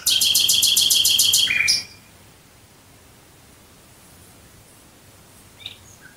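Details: Singing nightingale at night near Dresden: a very fast, machine-like series of about ten bright clicking notes over under two seconds, a lower buzz, then near silence with a faint distant chip.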